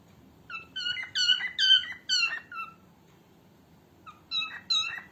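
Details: Female cockatiel, used for training other cockatiels: rapid harmonic chattering calls, several quick downslurred notes in two bursts separated by a pause of about a second, over quiet background.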